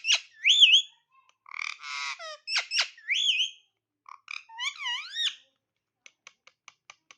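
A parrot gives a run of squawky, warbling calls, one rough and buzzy, others swooping up and down, then ends with six quick, evenly spaced clicks.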